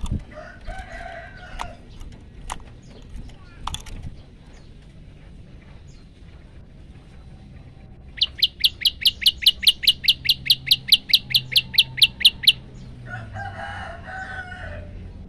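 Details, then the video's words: Male olive-backed tailorbird singing a long-burst variation, captured on a phone for use as a training recording for other birds: a loud run of about nineteen sharp, evenly repeated chips after quieter scattered notes and background murmur. "prenjak lumut gacor variasi tembakan panjang"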